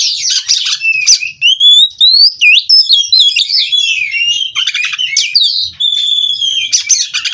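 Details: Kacer, a captive White-rumped shama from Cirebon, singing without a break: long fluid whistled slides and loops punctuated by short scratchy chattering bursts.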